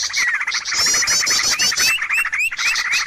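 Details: Bird lure sound meant to make birds come at once: a lively mix of rising whistled slurs, quick chips and a high rattling trill in the middle, with several birds calling together.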